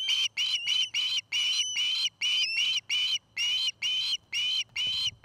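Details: Osprey at a nest in Charlo, Montana, where a pair is building a nest: piercing whistled calls, some longer and some clipped, about a dozen in a row, with one upward-sliding note and a soft knock near the end.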